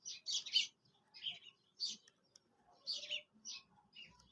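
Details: Quail calling, recorded for hunting and trapping: short bright chirping bursts in clusters, some doubled, spaced irregularly with brief silences between groups.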